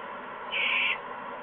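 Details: Barn owl inside a nest box at night, 10:16 PM on 17 July 2015: a single harsh, hissing screech lasting about half a second, steady and broadband, over constant background hiss.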